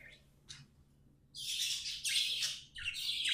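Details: Budgies kept as pets chattering, two faint chirps followed by loud, harsh, continuous warbling chatter.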